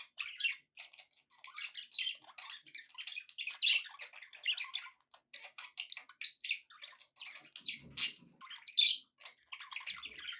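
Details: Pet budgerigars in cheerful mood chatter nonstop: a rapid patter of scratchy, squeaky warbled notes and clicks with frequent louder chirps throughout.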